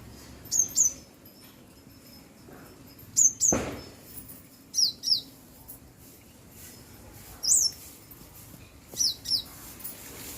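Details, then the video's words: Bird chirping: paired very high, thin chirps, each pair a quick double note, repeated at irregular gaps of about one to three seconds over a quiet background, one soft thud near the start. "bird Chirping sound"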